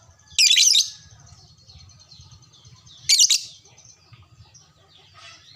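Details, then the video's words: Fighter lovebird answering another lovebird that is luring it, producing two harsh, shrill screech bursts about three seconds apart over faint continuous twittering and a low rumbling background. "sekali pancing langsung nyaut burung LOVEBRID Lain"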